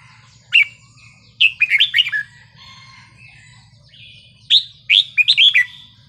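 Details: Wild-style song of red-whiskered bulbul, used to rouse other birds: lively liquid whistled phrases of quick up-and-down notes in two bursts, each about a second long, with faint softer whistles and a low hum between.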